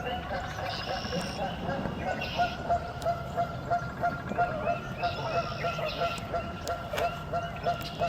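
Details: Canada geese at a spring wetland marsh, some nesting, honk in a noisy squabble while defending their space, harsh nasal calls about every half second, over a steady murmur of marsh sounds.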